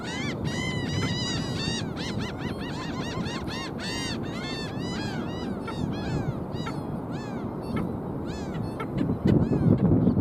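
Black Skimmers giving nasal, barking yaps in quick overlapping bursts, several birds at once, over a steady low rumble of wind or surf.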